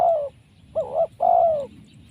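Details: Trapped wild spotted dove with a strong, fine voice: a long steady coo ending, then a quick wavering double note and another long, gently falling coo, against low background rumble.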